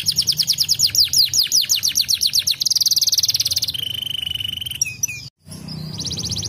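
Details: Canary singing in rolling tours: fast repeated chirps, a dense buzzy roll, then a held pure whistle, cut briefly before a trill resumes; low hum in the background.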